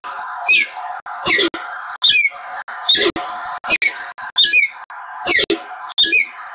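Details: Peregrine falcons at the nest site on the Evoluon in Eindhoven, 7 March 2022, a pair meeting in an extended greeting exchange: repeated harsh, chittering calls with sharp downward notes, about every half second to second.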